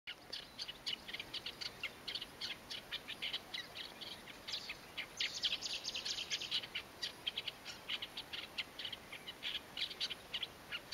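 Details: Masked Shrike (Lanius nubicus) by the Tsiknias river: a rapid series of short, dry, clicking chatter notes, repeated steadily for about eleven seconds, with faint background hiss.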